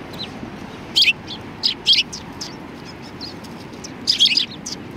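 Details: Sparrows at a Tenmangu shrine in February 2020 give bright, high chirps in short bursts, one pair near the start and another cluster near the end, over a low background hum.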